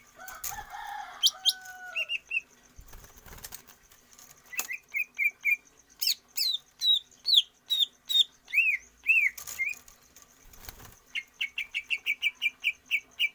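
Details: Greater green leafbird song for stamina training without free-flight exercise: varied whistled phrases with downslurred and looping notes, ending in a fast run of a dozen short repeated whistles.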